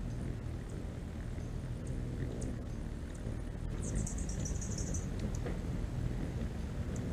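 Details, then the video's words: Hummingbirds flying while feeding on nectar: a steady, low buzzing hum from beating wings runs throughout, with a brief high, thin twitter cutting in near the middle. "นกฮัมมิ่งเบิร์ดตัวจิ๋ว เสียงมหัศจรรย์ดังจากปีกนกตัวเล็กๆ The sound of hummingbirds flying."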